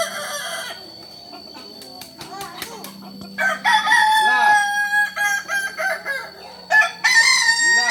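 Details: Kukuak Balenggek rooster, native to Solok, ends one crow, then delivers a drawn-out series of short, pulsing crow syllables followed by another loud, bright crow.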